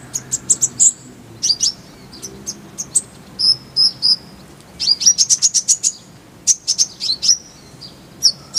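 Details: Lively, varied high twittering from a kolibri ninja sunbird in a full-fill tutor style with rolling bursts: quick trills, clipped chirps and dense runs of notes with brief pauses between them.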